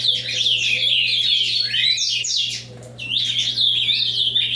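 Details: Ultramarine grosbeak singing in the avalanche style: rapid, tumbling warbled phrases of high sweeping notes, a short lull near the third second, then the rushing run resumes, over a low steady hum.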